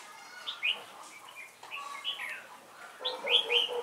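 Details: Red-whiskered bulbul serving as a trap decoy, noted for a thick crest and bell-like voice, recorded 12 November 2017; a series of short liquid whistled phrases, the last burst loudest and most rapid.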